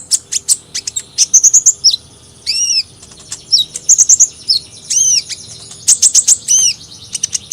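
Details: Hummingbird song made of high, thin squeaky chips and short trilled bursts, broken by a few louder arched whistled notes, delivered in uneven clusters with brief pauses between them.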